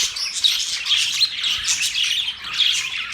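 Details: Several pet budgerigars chattering together: a dense, continuous wash of high chirps and warbling twitters with brief whistled notes, barely pausing over three seconds.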